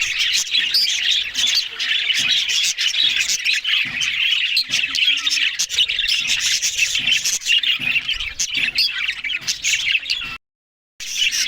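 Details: Constant high twittering and raspy warbling from several Australian budgies feeding on green food in the morning, unbroken for ten seconds before a brief silent cut and a resumption.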